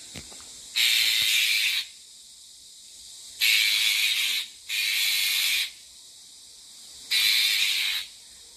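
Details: Bull-headed shrike mother guarding her six newly hatched chicks in Geumsan, South Chungcheong, Korea, filmed over twelve days on an old smartphone. The call is unusual for the species: loud, harsh, breathy hisses, each about one second long, four within eight seconds.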